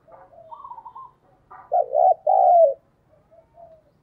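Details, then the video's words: Decoy spotted dove cooing to attract wild doves, native 'thổ' voice. A faint, soft coo phrase leads into two loud, rich coos, followed by fainter trailing notes. "Chim cu gáy mồi chuẩn thúc & gáy gọi kích bổi nhanh nổi hiệu quả"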